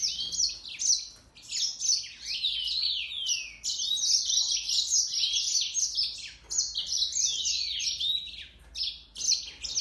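A Mozambique serin sings a fast, almost unbroken, canary-like warble of high twittering notes and trills, with brief pauses.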